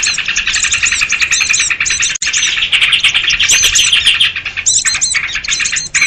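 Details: Sooty-headed bulbul lure sound for catching small birds: a continuous, crowded mass of high chirps and short whistled slurs, briefly thinning mid-way before the busy chatter resumes.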